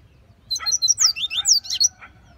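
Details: Double-collared seedeater singing in the bush: a rapid phrase of high, sharp whistled notes, slurred downward and upward, about eight notes in a bit over a second, over a faint low hum.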